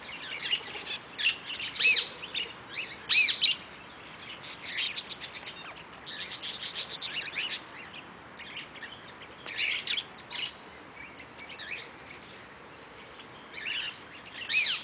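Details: Eastern rosella (Platycercus eximius) at Velserbeek calling in bursts of sharp, high chirping notes every few seconds, separated by quieter gaps with faint background hiss.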